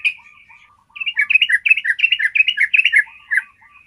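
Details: Yellow-vented bulbul giving its long, clear trill as training material: soft thin notes lead into a two-second run of quick, rich, gurgling whistles, fading back to faint twitters.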